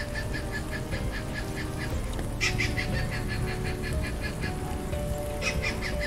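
Stork-billed kingfisher giving a harsh, rapid cackle of evenly spaced notes, about four or five a second, over soft background music.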